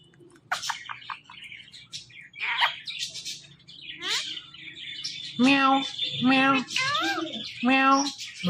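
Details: Pet ring-necked parrot talking: scratchy chattered syllables followed by four loud, nasal, drawn-out voice-like calls about half a second apart, with some background speech.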